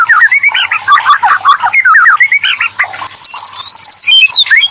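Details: White-rumped shama, murai batu, lure song to stir other shamas to sing: rapid jumbled warbling of short slurred notes, followed by a fast even trill of high clipped notes lasting about a second.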